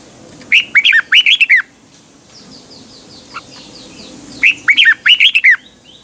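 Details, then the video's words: Red-whiskered bulbul, a caged bird, giving morning song in the double, tightly twisting voice used to train and excite other birds: two bursts of quick, bright, warbled notes about a second long, three seconds apart, with faint soft notes between. "Luyện chào mào hót sáng, hót hay - Giọng kép xoắn tít, kích chim căng, luyện chào mào hót"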